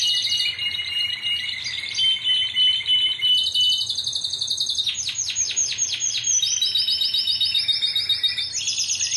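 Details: Timbrado canary, Greek club team 2009, delivering a long song of steady metallic rolls at several pitches, a burst of rapid descending bell-like notes near the middle, then higher fast trills.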